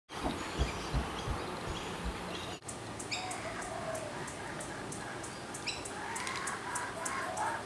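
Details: In a backyard in eastern Australia, a wild laughing kookaburra at a favourite perch chortles in rapid, harsh, rising and falling bursts over steady background hiss, after a few seconds of rustling and handling noise.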